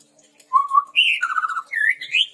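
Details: Red-rumped tepus song for luring and tutoring trained birds: a low warbled whistle, a higher whistle, a quick trill, then a rising slurred phrase, all in one continuous sequence.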